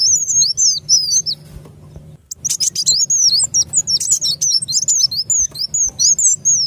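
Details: Sunbird, locally called kolibri wulung, lure call used to attract birds for trapping: rapid high, thin twittering notes with quick up-and-down sweeps, broken by a short pause, over a low steady hum.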